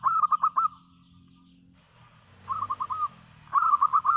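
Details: Local zebra dove singing vigorously: bursts of four to five quick, bubbly, trilled cooing notes, separated by quiet pauses, over low background hum.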